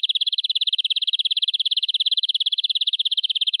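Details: Local forest canary, varied tutor song: a steady, rapid rolled trill of about three and a half notes per second, even in pitch and volume throughout, over a silent background.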